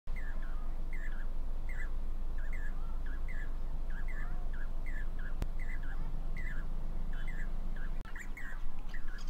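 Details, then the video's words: Four noisy Jacobin cuckoos perched on a wire at Damdama lake, India, before the monsoon, calling to one another; ringing, slurred two-part notes repeated about three times a second over a low steady rumble. "Jacobin cuckoo call"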